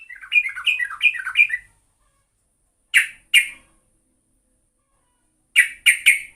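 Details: Yellow-vented bulbul (trucuk) lure song: a quick string of bubbly, up-and-down warbled notes, then silence, followed by two and then three sharp, harsh chips.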